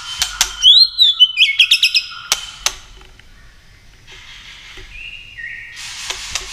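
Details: White-rumped shama giving 'tạch' contest song while flicking its tail to provoke rivals; a quick arched whistle and a row of short high notes with clicks, a quiet stretch, then a level whistle dropping in steps.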